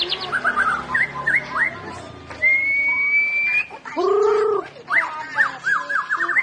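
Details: Song of a white-rumped shama, used to coax a silent bird into singing: quick chattering notes, then one long level whistle, a pair of low rounded harmonic notes, and closing rapid repeated phrases.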